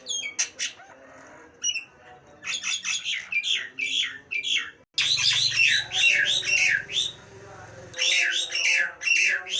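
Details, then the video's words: Nias hill myna delivering rapid bursts of hoarse, downslurred squawking notes in quick runs, with a low steady hum behind part of the sequence "Suara burung jalak nias bikin kuping panas"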